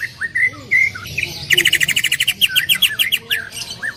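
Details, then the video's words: Greater green leafbird singing loudly in a vigorous 'gacor' style with full 'tembakan' bursts: a few clear whistled notes, then a rapid run of about twenty sharp, ringing chips, followed by slurred, rattling phrases. "cucak ijo gacor full tembakan suara keras"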